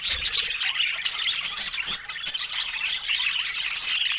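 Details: Budgerigars sharing fruit produce constant overlapping high-pitched twitters and rasping warbles, with one brief thin whistle standing out midway.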